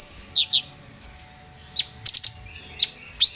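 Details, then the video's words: Cucak cungkok, a bulbul, recorded as tutor material for cage birds: short high whistles, downslurred chips and quick clicking notes in small clusters, spaced by pauses. "Cucak Cungkok Bahan Gacor"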